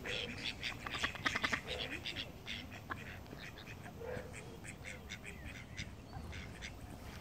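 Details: Flying call ducks giving quick runs of nasal quacks, loudest in a burst near the start, then scattered fainter calls against a low background rumble.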